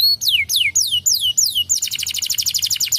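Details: Canary song meant to provoke another canary to sing: five clear down-slurred whistles break into a dense, fast buzzy trill of high repeated notes, with a faint low hum behind.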